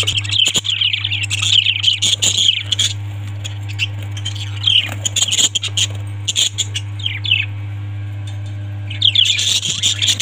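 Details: Several seconds of busy, loud parrot chatter: dense high squawks and chirps almost without pause, a brief lull, then a renewed outburst at the end, over a low continuous hum.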